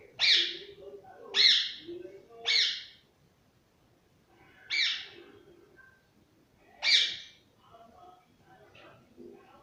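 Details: Pet parrot at home giving loud, harsh, broadband squawks, three in quick succession about a second apart, then two more after pauses, with soft lower sounds between.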